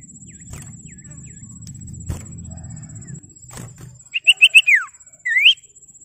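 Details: Common iora calling to rivals to provoke other ioras into singing: after a few seconds of low rumbling background, four quick bright whistled notes end in a falling slur, followed by a single rising whistle.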